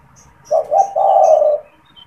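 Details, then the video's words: Spotted dove, a caged bird that coos often, especially when people are near, recorded as a lure call to attract wild doves: two short low coos followed by a long drawn-out hollow coo, with faint chirps from other birds. "SUARA PANGGILAN DAN PANCINGAN TEKUKUR TERBARU | TEKUKUR GACOR BAGUS BUAT PIKAT"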